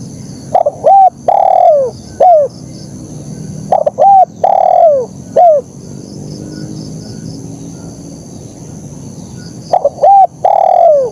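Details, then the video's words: Spotted dove in full KUK 1 song. Stuttered openings lead into a level coo, a drawn-out falling coo and a clipped last note. Two phrases, then a quiet gap with soft hum, then another phrase. "Suara Burung Kicau Terkukur Gacor KUK 1"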